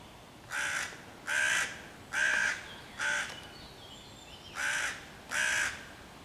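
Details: Loud cawing by a hooded crow harassing five young raccoons near a tree hollow, 11 June 2023, aiming to drive the predators away and bring other crows. Six coarse caws, four evenly spaced, a short gap, then two more.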